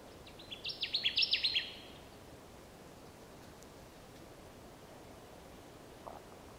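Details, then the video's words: Connecticut warbler song in Wisconsin, 30 May 2016: one loud, rhythmic burst of about seven quick, repeated chuppy notes lasting just over a second, with a steady hiss filling the rest. "Connecticut Warbler song"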